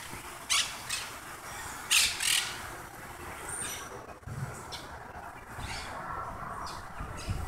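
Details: Wild parrots nesting on a telephone pole in Howard Beach, New York City, calling overhead: three harsh, broadband squawks in the first two and a half seconds, then fainter scratchy calls over a steady traffic rumble.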